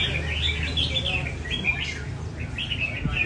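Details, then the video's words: Red-whiskered bulbul song at a bird café during taming training: quick, lilting whistled phrases, a short gap, then another run, over low murmuring people and café noise. "Cafe chào mào chạy cầu thuần hoá nhịp nhàn cho anh em nào thích nết cao cầu"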